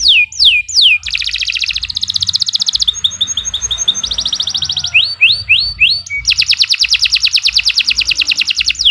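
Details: Singing canary, 'gacor panjang' style for tutoring other birds: a few falling whistles, then a fast rattling trill, chips, more swoops and a long buzzing rapid trill to the end.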